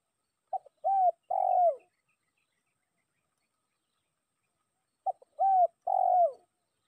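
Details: Spotted dove lure call summoning a rival: two cooing phrases about four seconds apart, each a clipped short note, a brief hiccup, then two longer mellow coos that slur downward at the end, with silence between.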